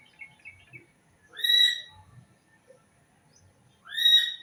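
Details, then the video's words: Bird calling twice, each a loud harmonic note that rises then falls slightly, about two and a half seconds apart, with faint softer chirps between. "Suara Burung"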